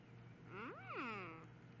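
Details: A pet Yellow-naped amazon, prompted by its owner to talk, utters one drawn-out, word-like sound that rises then falls in a rich, human-like voice, over a steady low hum.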